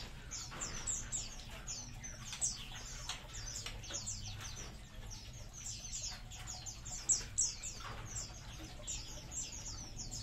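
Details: Colony of munias giving a busy chorus of short, high, downslurred chirps that overlap constantly, with several birds calling at once and a low steady hum underneath.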